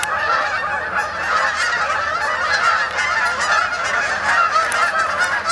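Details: Large group of Canada geese flying in to roost at Sapsucker Woods, Ithaca, New York, October 2017; constant overlapping honks, loud and busy, with occasional higher-pitched sharp notes.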